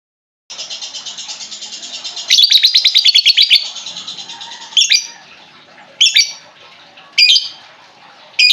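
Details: Lovebird used as a lure for a lovebird that has stopped singing: a long fast rattling trill, then harsh buzzy bursts and sharp high chirps at roughly one-second intervals.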